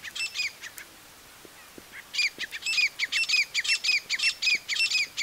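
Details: Calls of a female grey francolin, or teetar: a few shrill notes, a quiet pause of about a second, then a brisk, evenly spaced burst of about a dozen high, downward-curling squeaks.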